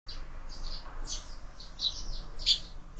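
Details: Sparrows squabbling at a window-mounted feeder where birds are fed all year, giving scattered high, short chirps over a low background rumble, with a louder burst near the end.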